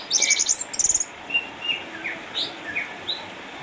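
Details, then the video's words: Orange-headed thrush, an eight-year-old caged former champion from Sukabumi retired by cataracts, giving a rapid very high buzzy trill then scattered thin slurred whistles and short chirps. "ANIS MERAH AJIMA sang juara bertahan di sukabumi terpksa jd burung rumahan akibat katarak.."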